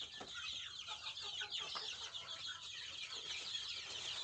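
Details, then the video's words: A flock of native village chickens keeps up a dense wash of shrill, overlapping peeps and chirps, with scattered short clucks breaking through at irregular moments. "Ayam kampung asli"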